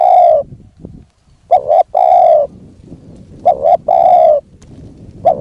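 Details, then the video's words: Spotted dove used as a decoy to lure a wild dove, cooing loudly: a long mellow coo, then phrases of a short double note run into a longer coo, repeated about every two seconds, over faint background noise. "ต่อนกเขาใหญ่ พลาดเฉลยเสียงดีครับคารมสุดยอดครับ"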